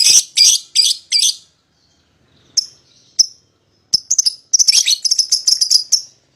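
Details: Lovebird of the type known as paud, used as a lure to call a rival bird into singing; loud shrill chattering bursts, first four harsh chirps, a pause, then rapid rattling high-pitched ticking notes in fast runs.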